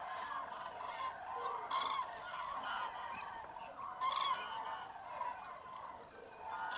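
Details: Hundreds of common cranes at their wintering roost in Tablas de Daimiel National Park, Spain, in frosty fog at first light, mid-January. Overlapping bugles rise and fall, with louder bursts about every two seconds over the dense flock chorus.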